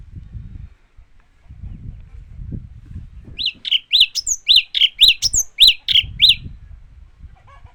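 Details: Japanese white-eye singing: a burst of quick, high chirped notes, each sliding down, repeated about twice a second for three seconds after a quiet start with low background rumble.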